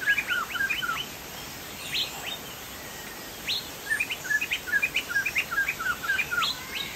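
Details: Chinese hwamei, called poksay jambul sumatra, singing: a burst of quick whistled notes, a pause with a few sharp rising strokes, then a fast, loud run of repeated slurred whistles.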